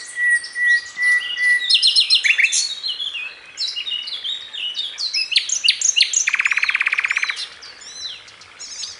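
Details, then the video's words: A songbird sings a rapid, varied string of high chirps, sweeping notes and fast trills, including a long buzzy rattle near the end; bird. "Trino de pájaro cantando"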